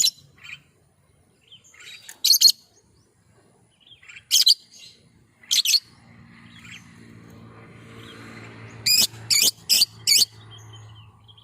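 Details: Lovebird luring call, played to draw responses from other lovebirds: sharp, high-pitched screechy chirps, single and in pairs, with a burst of four rapid shrieks near the end over a low humming background.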